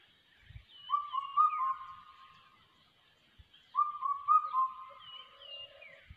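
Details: Two separate phrases from a crested hawk-eagle chick in ATR forest, each a string of clear whistled notes that rise sharply and then hold level. The phrases come about three seconds apart, with faint knocks between them.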